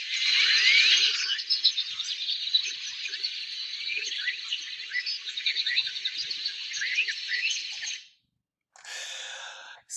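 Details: A loud evening chorus of many Great-tailed Grackles gathering to roost at sunset in suburban Phoenix, Arizona: a dense, continuous mass of squeaky whistles, rising chips and harsh notes, briefly cutting out near the end.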